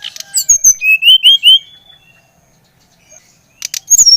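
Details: Brown-chested jungle flycatcher, Bali type, sings to stimulate another bird: a rapid series of rising, slurred whistles at mid pitch after a high opening note, then a pause and a new high burst with clicks.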